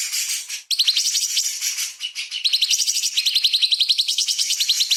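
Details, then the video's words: Lively sooty-headed bulbul (cucak cungkok) tutor song: an almost unbroken stream of rough, rapid, high buzzy pulses, briefly interrupted early on, then settling into fast, regularly repeated chattering notes. "CUCAK CUNGKOK GACOR ISTIMEWA !! MASTERAN Tembakan Istimewa Burung Kecil Super Pedas"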